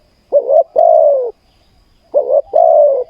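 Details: Spotted dove singing at a Thai ground decoy-trapping session. Two phrases, each a short clipped coo followed by a longer, drawn-out, slightly falling coo, about two seconds apart, in a quiet setting.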